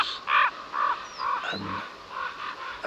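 A Common Raven gives a run of harsh, hoarse calls, about six in three seconds at a steady pace, calling in a second raven; faint thin whistles sound behind.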